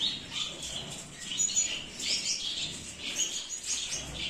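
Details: Zebra finches, a species about nine centimetres long native to Australian grasslands, giving dense overlapping high chirps and short tweets, with several birds calling at once and no clear pause.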